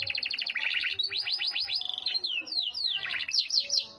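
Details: Yorkshire canary singing a fast, continuous song of high, sweeping notes in rapid trills and rolling phrases, some descending slurs repeated in quick series, with a faint low hum underneath.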